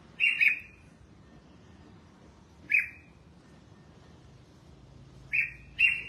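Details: Red-whiskered bulbul at bathing and sunning time, uttering clear ringing chirps in spaced bursts: a quick double, a single after two seconds, then another close pair, separated by near silence.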